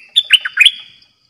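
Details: A caged bulbul used as a decoy bird gives a quick, bubbly phrase of four or five rich, slurred notes lasting under a second, over a faint steady high ringing tone.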